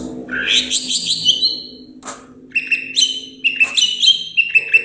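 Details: A caged greater green leafbird from Banyuwangi sings a loud, varied run of quick sweet whistles and chattering trills, ending in sustained high clear notes, over a faint low hum.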